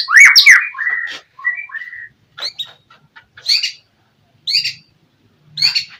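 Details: Oriental magpie-robin song used to goad a rival into replying: a burst of whistled and harsh notes, then short scratchy chirps spaced about a second apart with silences between.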